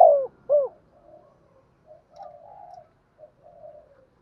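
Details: Decoy spotted dove calling to lure wild birds: two loud curved hoots at the start, followed by a run of quieter, drawn-out, wavering coos that fade toward the end.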